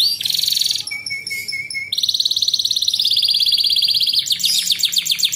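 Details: Canary master song for young canaries being trained to sing fast and compete. A bright high trill gives way to thin, spaced whistles and a low steady tone, then a long rolling trill and quick sweeps.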